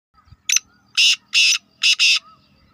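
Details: Black francolin calling: a short sharp note, then four loud, harsh, grating notes, the last two run together, all within about two seconds in a quiet setting.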